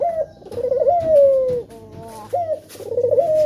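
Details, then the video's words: A male spotted dove calls to coax other doves into singing. Its throaty, quavering coos rise and then glide down into a long falling note, repeated twice. "Puter Jantan Yang Gacor Suara Pancingan nya Sanggat Menggoda"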